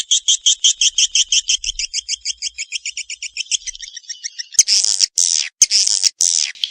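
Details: Swiftlet calls: a long string of quick doubled high chirps, roughly three a second, fading into a trill, then loud rasping bursts broken by abrupt gaps.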